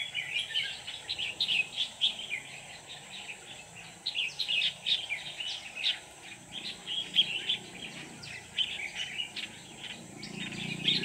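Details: Decoy red-whiskered bulbul singing at a trapping site on 24/11/2018 to draw wild birds in: bursts of quick sharp chirps and bubbly phrases, rising and falling in loudness, with constant environmental hiss behind.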